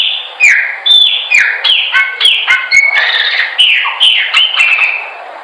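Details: Chopi blackbird song for training other birds to sing: a rich, fast run of clear whistled notes, many sliding downward, some doubled, delivered almost without pause over five seconds.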